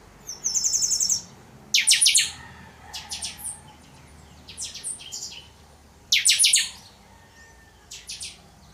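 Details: Chanchão (chopi blackbird) singing totonsidonso: a fast, even trill of high notes opens, then loud harsh bursts alternate with softer clipped chirps. The phrases repeat at irregular intervals over a faint low hum.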